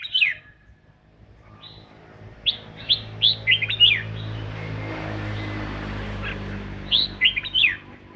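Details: Red-whiskered bulbul sings while dancing as part of voice training, with two clusters of sharp, slurred whistled notes separated by a pause and a steady hiss underneath.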